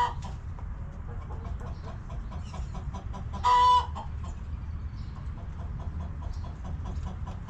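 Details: Backyard hens clucking in their coop on a homestead: soft rhythmic clucks repeated throughout, interrupted midway by one loud, sharp squawk lasting about half a second, with low steady hum underneath.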